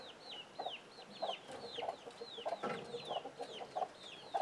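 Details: Young chicks with adult chickens, communicating and reacting to an alert sound: high, curved, falling peeps repeat roughly twice a second, paired with brief low clucks at a steady, rhythmic pace.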